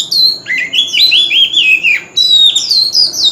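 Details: Loud, continuous fighting song from a male Oriental magpie-robin with a wild voice: wavering, slurred whistles descending and climbing in a rapid chain, a brief break near two seconds, then renewed high clear notes.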